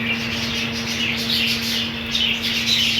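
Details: Budgerigars of a colony, seen with green food, give clear warbled chirps and bright rising squeaks in quick succession, fairly close, over a faint constant hum.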